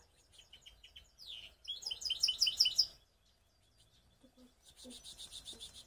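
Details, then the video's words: Hybrid canary song recorded in Skopje: scattered high chips, then a loud burst of fast, sweeping, rolling notes. After a short pause comes a quiet buzzy trill, with a few low faint sounds in the background. "Canary mixed best song"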